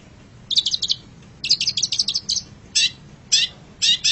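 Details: Long-tailed shrike song used as a master for pet birds: quick stuttering trills of sharp high notes, followed by three spaced, louder rasping bursts.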